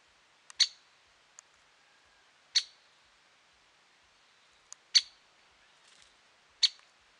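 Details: Great spotted woodpecker at Lake Tavatuy, Middle Urals, on 17 June 2017, giving sharp, high 'kik' notes about every two seconds, with a few fainter ticks between them in a quiet setting.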